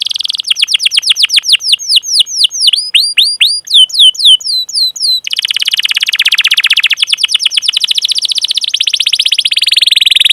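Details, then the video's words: Canary in full 'ngerol' rolling song, chirping cuit cuit to lure and train young canaries. Loud, clear descending whistled sweeps speed up, then give way to a long, dense, rapid buzzy roll. "Masteran Suara Burung Kenari Gacor Panjang cuit cuit Ngerol untuk Pancingan Kenari!"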